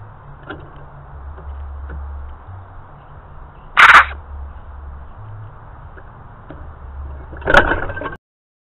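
An Australian magpie gives two short, harsh barks about four seconds apart over a steady low rumble of distant traffic.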